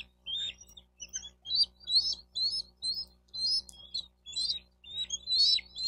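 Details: Bald eagle calling at its nest in Miami-Dade County, Florida, recorded by a nest camera on 4 June 2023 near 12:35; rapid high chittering notes repeated about twice a second, with a faint low hum underneath.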